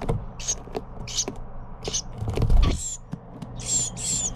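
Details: Young Carolina wren being fed by its parents: rasping high buzzy bursts, growing longer and louder at the end, with rustling and handling noise in the middle.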